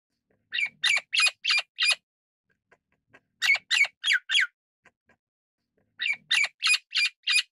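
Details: Golden-crested myna calling: three bursts of four or five harsh, squawking notes with broad, ringing overtones, each note short and rapid, the bursts separated by brief pauses with faint clicks between, otherwise quiet.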